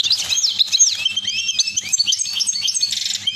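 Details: Caged goldfinches during mating, filling the air with fast, dense twittering: bright tinkling notes and rapid liquid trills, short upslurred and downslurred whistles overlapping continuously, with faint low background hum.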